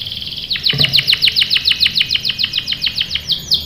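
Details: Canary lure song, meant to prompt other canaries to reply and roll: rapid evenly spaced swept notes, around six per second, with a single dull knock early on.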